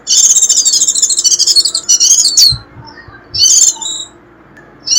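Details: Shrill 'rít' calling of a warbling white-eye, played to draw in wild birds: a long dense run of high chattering twitters with a descending slurred note, a few soft knocks, then a quieter pause and two brief high bursts.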